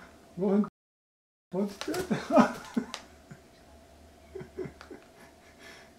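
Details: A pet hill myna, kept since January 2020, pecking at another myna, gives a few short speech-like phrases with human-sounding vowels, a brief silence, then soft clicks and faint murmurs.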